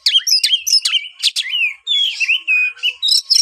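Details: Energetic song of a white-rumped shama with rapid sharp notes and falling whistles, followed by a smoother run of buzzy warbles and high trills.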